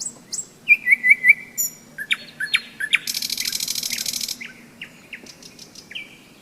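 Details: May song of a nightingale by the Seversky Donets, storm season: loud looping whistles, then sharp chips and a dense buzzy rattle lasting over a second, fading into quieter notes. Croaking frogs hum low throughout.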